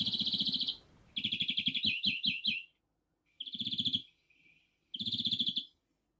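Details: European greenfinch (Chloris chloris) at a spring feeder in Kandalaksha, Russia, gives high, buzzy rattling trills in four bursts, each under a second, with brief pauses; it chases other birds from the feeder.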